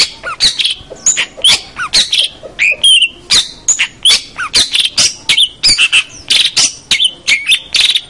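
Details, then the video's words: Long-tailed shrike singing hard, recorded to teach young birds: a dense, varied stream of scratchy notes, squeaks and short whistles, delivered without pause. "suara masteran cendet full gacor"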